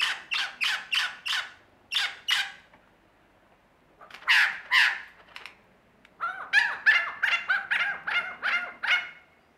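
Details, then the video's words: Australian lyrebird performing mimicry: groups of harsh, crackling, caw-like notes repeated in quick runs, a pause, two rough louder blasts, then a fast series of about ten ringing, bouncing notes. "Lyrebird performance"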